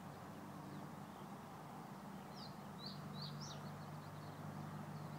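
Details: A common reed bunting gives a brief phrase of a few short, sharp, high chirped notes over a steady low rumble of distant traffic, at Slatina retention reservoir, Prague, on 22 March 2016.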